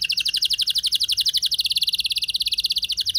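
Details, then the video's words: Canary performing a rolling lure song, meant to provoke other canaries into singing: a fast, even trill of bright high notes, about two per second blurring into a continuous roll, sliding slightly lower partway through. "Pancingan Burung Kenari Ngeroll Mewah! Bikin Emosi Kenari Lain Auto Terpancing Jadi Gacor"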